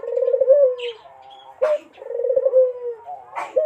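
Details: Barbary dove coo used to lure a rival: deep, trembling rolled coos that fall away at the end, each answered by a short upward note, with a faint chirp between phrases.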